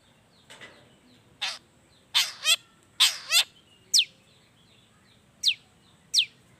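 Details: Long-tailed shrike in vigorous song filled with wild-bird phrases, used as a lure so that reluctant shrikes start singing; harsh buzzy bursts, some paired, alternate with thin high rising whistles, separated by short pauses.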